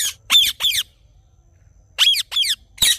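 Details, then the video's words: Rose-ringed parakeet in the morning giving loud, shrill screeches in pairs, each call sharply rising then dropping, with a quiet gap between the pairs. "Parrot Morning Sounds"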